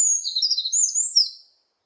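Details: Short burst of Eurasian wren song: thin, high whistled notes run quickly together with a brief rising flourish, fading out after about one and a half seconds.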